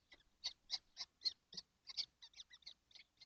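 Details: A nesting box holding seven kestrels on a hot June 12th, 2025, with a rapid, uneven stream of grating, high screeches, about four per second, some louder and some softer, continuing throughout.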